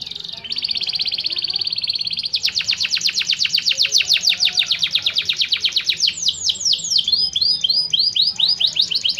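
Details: Canary (Serinus canaria) contest training song: a steady buzzy trill, then a long rapid series of clipped high notes, ending in varied looping slurred phrases.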